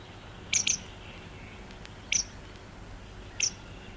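Grey wagtail alarm calls: sharp, high, clipped notes, first a quick double, then two single calls spaced over a second apart, against faint background hiss.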